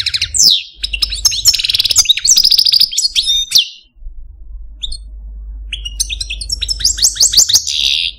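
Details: Algerian Parva goldfinch, a male pet bird in a cage, sings two bursts of fast twittering trills and downslurred whistled notes separated by a near-silent gap with faint low hum.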